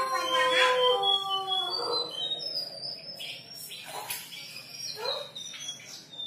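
A shortwing sings clear, flute-like whistles, high sliding notes in quick phrases. Lower, howl-like tones sound in the first two seconds.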